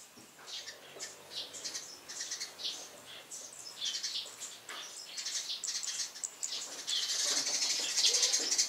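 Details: Eurasian tree sparrows on a house roof chirping loudly in the morning; rapid overlapping high chirps, about four per second, growing denser and louder toward the end with fluttering wings.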